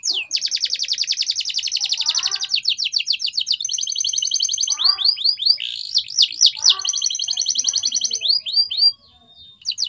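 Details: Canary training song that opens with a long, steady, rattling high trill, then shifts to looping rolls and slurred whistles, and ends abruptly with a thin whistle.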